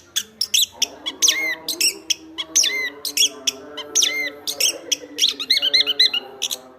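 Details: Chestnut-backed thrush in loud song: sharp high chirps alternating with short downward whistles, phrases repeated through the clip, with a soft layered hum behind.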